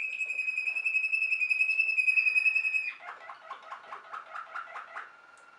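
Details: Waterslager canary, also called Malinois canary, singing a long steady high whistled tone for about three seconds, then switching to a lower, rapid rhythmic bubbling trill with repeated pulses.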